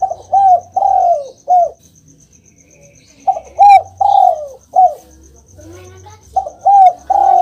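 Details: Spotted dove cooing, a recording meant to prompt quiet caged doves to answer: soft, mellow phrases of three coos, the middle one longest and falling, repeated three times with pauses, over a faint, even high ticking.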